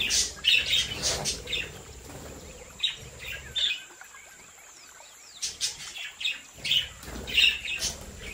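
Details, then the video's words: Australian budgerigars from a home breeding flock, chattering in short bursts of quick, scratchy chirps and warbles. Calls come in clusters with a brief quiet gap midway, and a faint steady hiss in the background. "Sonidos relajantes para Periquitos ASMR🔊🎼de Mi cría de Periquitos Australianos"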